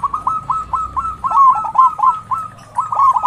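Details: A local zebra dove with a big, strong voice coos steadily in a stream of quick, ringing, slightly falling notes. The recording is used as a lure to stimulate other doves to call.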